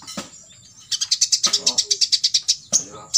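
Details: Very high, evenly spaced trill from an olive-backed sunbird, roughly seventeen rapid pulses in under two seconds, framed by sharp chips. This 'full tembakan isian' song is played for training other birds to imitate.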